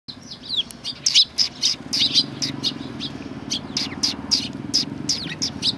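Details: Sparrows coming to be fed on the front approach of a Tenmangu shrine, Japan, 24 April 2020: a flock's busy overlapping chirps, short bright notes in quick irregular bursts, over a steady low hum.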